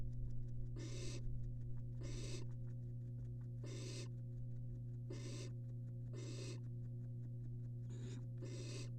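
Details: Barn owls, three siblings resting side by side in a nest box watched by a University of Florida live camera. Seven breathy, noisy hisses repeat about once a second, with soft ticking clicks between them and a steady background hum.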